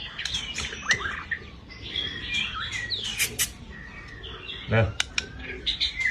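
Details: Vigorous, rough-toned white-rumped shama song, as used for training and stimulating other birds: bursts of whistles, harsh squawky notes and sudden sharp snaps, with a constant low background hum.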